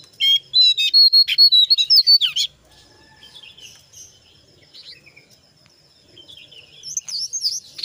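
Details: Brown jongkangan singing gacor, a ngeriwik style mixed with ngeplong and meant as a lure for other birds; a fast run of loud repeated whistled notes, then quiet, then renewed high chatter.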